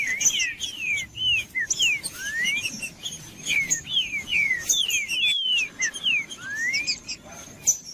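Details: Trinca-ferro (green-winged saltator) singing to warm up a cold bird before tournaments: repeated downslurred and upslurred whistles about every half second, with high chirps, clicks and a faint steady high tone behind.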